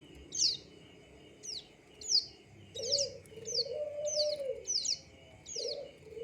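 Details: Plain prinia giving sharp, high, downward-sweeping notes, repeated about twice a second with short gaps, over steady low cooing from a dove-like bird and a faint constant hum.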